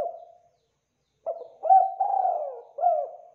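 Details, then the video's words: A spotted dove, locally derkuku Jawa, coos in KUK 2 style as a lure to provoke a rival's reply. A trailing coo and a silence lead into one phrase of a lead note followed by three hoarse coos, the middle one long and sliding down. "Derkuku Jawa KUK 2 Gacor Suara Rapat Tajam Pancingan Emosi Lawan Agar Cepat NYAUT"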